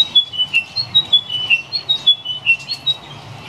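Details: Chiming wedgebill singing at Currumbin Wildlife Sanctuary on 16 May 2014: a fast run of clear, ringing whistled notes that step up and down in pitch, about three or four each second, over a faint low rumble.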